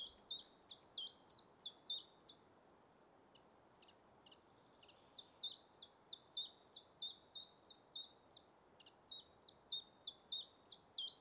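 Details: Common chiffchaff (Phylloscopus collybita) singing its simple song in spring deciduous woodland: a steady run of high, sharp notes alternating in pitch, about three per second, with a brief pause midway.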